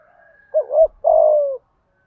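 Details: One phrase of a spotted dove's 'thúc gù' urging coo, 'giọng thổ' voice: a soft lead-in, a quick two-note coo, then a long, low, slightly falling coo, with a faint low thump underneath.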